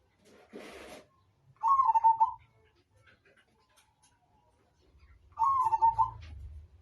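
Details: Zebra dove, Majapahit type, repeats its trilled cooing phrase twice about three and a half seconds apart. A burst of rustling noise comes before the first phrase and a low rumble sits under the second.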